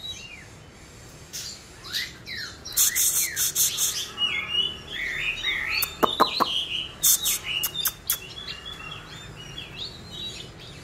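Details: Young Oriental magpie-robin learning to sing: a rambling run of short, high chirps and warbled slurs, with sharp clicks and brief louder bursts scattered throughout.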